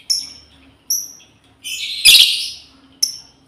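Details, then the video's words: Female lovebird calling to companions: short high tonal chirps with harmonics at the start, near one second and near three seconds, plus a louder harsh noisy burst around the two-second mark. "SUARA PEMANGGILAN BURUNG LOBEBIRD//BETINA MEMANGGIL KAWAN"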